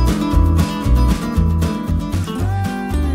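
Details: Strummed acoustic guitar music with a steady bass line, and no animal calls at all.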